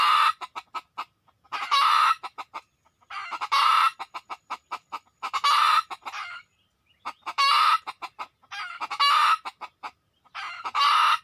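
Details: Red junglefowl lured during a decoy hunt, with birds arriving within two minutes: loud harsh squawking bursts about half a second long, roughly every one to two seconds, mixed with rapid short clucks between them.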